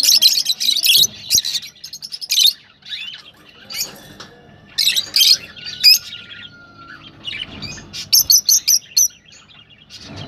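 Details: Rosellas calling to stimulate mating: rapid runs of sharp, scratchy chips, some in quick trains of four or five, broken by quieter twittering and a single thin sliding whistle.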